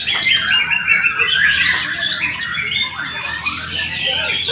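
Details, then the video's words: White-rumped shamas in a junior-class singing competition at a field in Palembang, Indonesia. Rich varied song of whistled phrases, rapid trills and harsh notes, overlapping with other caged birds and a lively crowd chatter. "KELAS MURAI BATU JUNIOR 🔥 DI LAPANGAN NBC PALEMBANG.."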